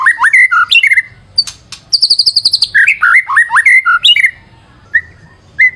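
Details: Shama song played as a lure, with varied whistles, a fast buzzy high trill and rapid clicking notes, then slurred phrases that thin out into single whistles.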